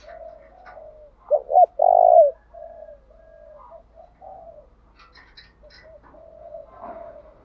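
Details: Decoy spotted dove cooing to stir wild birds into calling: two brief notes then a long resonant purred coo, followed by softer, lower repeated coos and faint chirps from other birds in the background.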